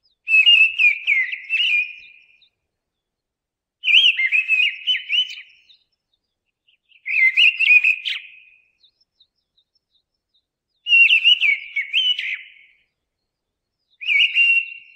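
A mistle thrush sings five loud, fluty phrases of about two seconds, each warbling and slightly varied, separated by short pauses. No other sounds intrude.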